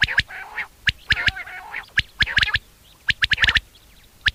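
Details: Common quail calling for a mate at sunset over a summer meadow, its short sharp notes repeated quickly in clusters, mixed with lower, buzzy nasal calls from other birds.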